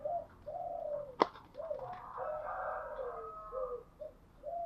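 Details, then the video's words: Morning cooing of a spotted dove kept as a cage bird: soft, low coos in a run of short notes, one sharp click partway through, with a faint, higher overlapping murmur. "Tiếng chim gáy buổi sáng"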